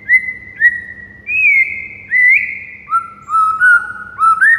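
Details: White-rumped shama in a morning master recording for training other birds: clear separate whistled notes with upward-flicked ends, some long and sliding, about seventy-six phrases a minute, over a faint low hum.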